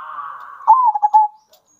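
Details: Zebra dove, local singer used to provoke other doves: a brief soft hum followed by a sharper stuttered coo that slides down and trails off in three pulsing beats.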